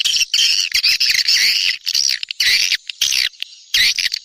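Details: Swiftlet lure call of the SP Neptunus type, aimed at attracting swiftlets during the rainy season: harsh, squawky high chirps come in broken bursts separated by short pauses.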